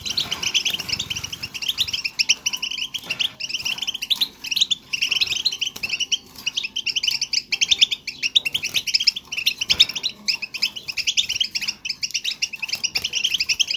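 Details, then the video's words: European goldfinch song-twitter for coaxing a silent bird back into singing: sustained, rapid high-pitched tinkling phrases run for over thirteen seconds with only short breaks, against a faint low hum. "بتبتة , ضرورية لتحفيز حسونك على الغناء"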